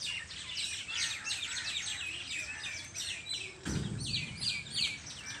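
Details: On a farm at evening, numerous birds twitter and chirp in rapid, overlapping bursts of high, downward-sweeping notes, with a single dull thump partway through.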